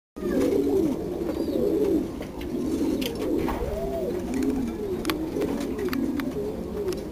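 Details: Blue frillback fancy pigeons cooing, a run of low, rolling, wavering coos repeated through the stretch, several birds overlapping, with faint clicks and rustling in the background.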